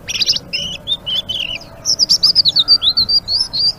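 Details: Blue-winged leafbird singing actively in the rapid twittering ngeriwik style: quick high whistled notes and slurred chirps, first in short separate phrases, then a fast run of bright rising and falling notes about four per second.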